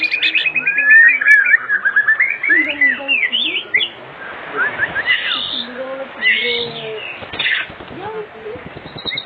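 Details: Afternoon lure recording of an actively singing white-rumped shama meant to prompt other shamas to sing: a varied run of fluty whistles and quick slurred notes, some rising and some falling, in loose bursts.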